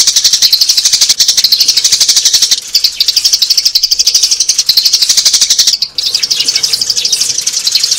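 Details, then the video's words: Adult sparrows, recorded as a trapping lure for adult birds: a continuous stream of fast, high chirps pulsing roughly four times a second, with brief dips and a faint hum beneath. "TẶNG TIẾNG CHIM SẺ GIÀ"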